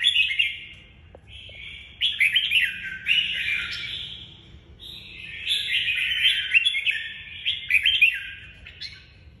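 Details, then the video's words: Lively song from a red-whiskered bulbul in the "nhảy cóc" style: long, bubbling runs of mellow, quickly varied warbles with quick upslurred notes, broken by brief pauses. A low background hum is audible. "Chào mào nhảy cóc lối đánh nhiều người mê ước"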